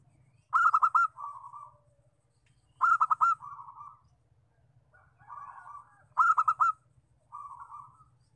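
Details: Local zebra dove lure call, used to attract wild doves: three cooing phrases, each a quick stuttered burst of bright notes followed by a lower, softer trailing coo, with a fainter extra phrase between them over a steady low hum.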